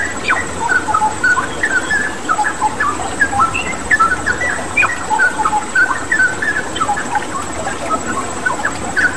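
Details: Full, lively straw-headed bulbul song over water-therapy sound for caged birds to imitate: a continuous stream of liquid, bubbling whistles and quick slurred phrases against a soft, even rush of water.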